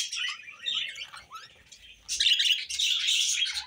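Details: Pet budgerigars chattering: a burst of high twittering and short scratchy notes, a near-silent pause, then a louder, dense stretch of overlapping warbled chirps to the end.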